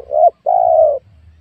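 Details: Spotted dove calling while wild doves are lured at a young oil palm plot: a short rising coo, then a longer, steady, slightly falling mellow coo.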